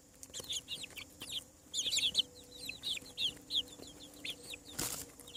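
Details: Chicks hatching on a farm produce a busy chorus of high, arched peeps, several birds overlapping in bursts, ending with a sharp scraping noise and a faint low hum.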